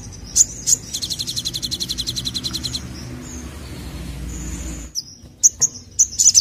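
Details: Olive-backed sunbird in gacor nembak song: two piercing chips, then a long, fast, rhythmic two-pitched trill, a couple of thin drawn-out whistles, and a closing flurry of sharp high chips over faint low noise.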